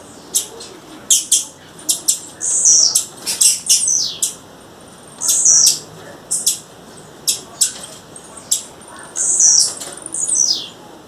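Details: A female blue-black grassquit calling in the wild, uttering high, thin chips and short buzzy rasping notes in irregular bursts, some notes sliding downward, with a steady background hiss.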